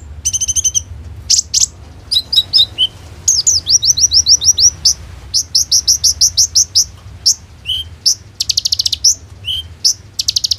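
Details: Lively kolibri ninja sunbird song with rolling 'tembak' phrases, used to draw konin into singing, recorded on an Oppo A37f phone. Long streams of rapid, very high twittering notes broken by short buzzy trills and brief pauses.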